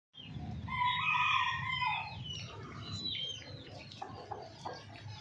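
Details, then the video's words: Hen call: a loud, harmonic, drawn-out squawk lasting about a second, then softer scattered notes over a low rumble of background noise. "Hen sound effect | Murgi Ki awaz"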